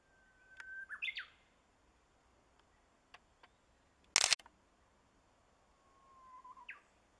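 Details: Japanese bush warbler in full song in a Boso village, Japan, on 10 April 2013: a held whistle ends in a quick rising flourish. A sharp loud knock follows, then another long whistle begins, gliding downward before a high upturned note.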